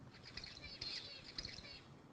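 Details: Male zebra finch song, the second of several males replayed in a university lecture on the bird song system: three quick bursts of harsh, buzzy, stacked notes within two seconds, with faint hiss behind.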